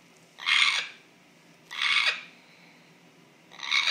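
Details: Captive African grey parrot giving an unexplained strange noise, heard as rough, hissing squawks, each about half a second long and repeated roughly every 1.3 seconds in a quiet room.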